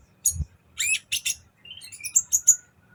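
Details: A sunbird sings lustily on a training recording: scratchy high twitters, then a run of thin, piercing whistled notes rising in pitch, over faint low bumps.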